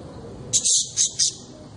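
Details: Pet budgerigar giving four quick, high, scratchy chirps in under a second, over a faint low room hum.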